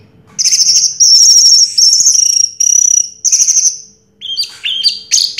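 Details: Buzzy, high trilled phrases repeated in rapid pulses come from an orange-headed thrush, winner of first prize in 2022, ending with a cluster of squeaky, downslurred chirps.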